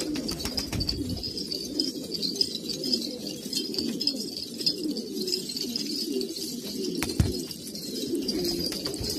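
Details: Several old purebred Kabul pigeons in Afghanistan cooing together, low rolling coos overlapping continuously, broken by a few sharp knocks and clatters.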